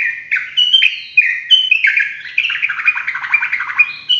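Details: Continuous ropelan song of a sooty-headed bulbul: crowded, loud whistled notes tumbling over one another, turning into a fast bubbling warble in the second half, with no pause.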